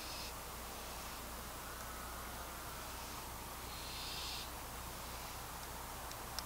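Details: A young wild barn owl walking on the ground in the dark at night gives two breathy, rasping hisses, one brief at the start and a longer one about four seconds in, over a steady background hiss.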